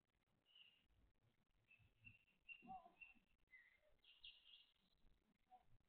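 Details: Grey tit at its nest in the evening and night of 5 June 2022, day 24 of nesting, between 19:51 and 20:53: scattered short high thin notes, some brief chirps in between, over a low rumbling background.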